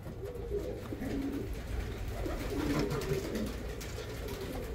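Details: Pigeons at a pigeon market in Damietta, Egypt, cooing indoors: low, soft rolling coos that overlap and repeat, over a steady background hum.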